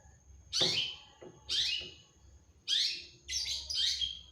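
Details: Cendet, the long-tailed shrike, singing actively: harsh falling rasps about one per second, ending in a quick doubled burst of scratchy notes.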